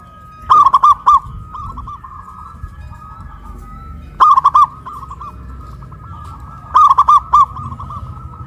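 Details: Caged local zebra doves raised on a pole in Kuningan, West Java, in a duet of big and crystal voices. Three loud bursts of rapid rolling coos come every few seconds over a softer continuous cooing background.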